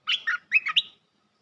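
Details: Luring call of a bulbul used in trapping to draw in a territory holder: two rich, slurred chirps, a short pause, then three quick bubbly notes rising and falling, no other sounds.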